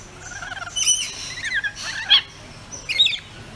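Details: Rainbow lorikeets kept as pets give rapid, scratchy chattering bursts and a few sharp squeaky notes, with brief pauses between the bursts.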